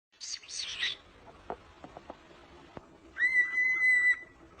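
A cockatiel gives a few raspy chirps, then a clear, level whistle held for about a second.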